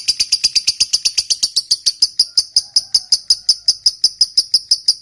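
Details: Lovebird trilling 'ngekek panjang' style to provoke rival lovebirds; a sustained series of piercing, clipped high notes repeated about three times a second, buzzy at first, then cleaner and more ringing.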